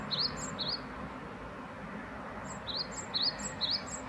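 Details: Great tit phrases up close: clear high note sliding into an upswept whistle, repeated in two short bursts a few seconds apart, over faint steady background rumble.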